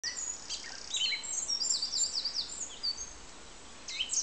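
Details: Song thrush singing: a dense run of high, varied notes, with quick falling whistles and short sharp chirps crowded together, over steady background hiss.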